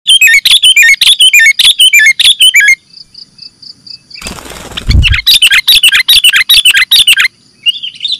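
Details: Sooty-headed bulbul calls from a lure recording used for catching birds: fast bursts of bright, warbling chirps in dense runs, a pause with a thin steady whine, then a dull thump and a fresh run of rapid chattering.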